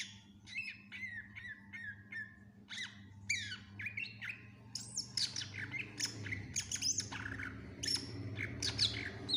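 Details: Greater green leafbird (cucak ijo) gacor song packed with isian, a tutor recording for other birds: dense, hurried sequences of chirps, harsh squawky notes and slurred whistles, growing busier toward the end over a low rumble.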